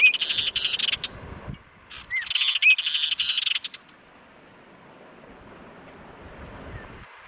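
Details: Apolinar's wren of the subspecies hernandezi, a Colombian endemic, in Sumapaz Paramo in the Eastern Andes in May, gives harsh buzzy rattling bursts with a few short whistled notes, then fades to quiet wind.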